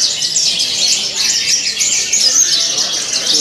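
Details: Competition Javan bush lark on the hanging pole, in full voice with luxurious mimicked fills; continuous shrill warbling and sharp high whistles, with faint crowd chatter behind.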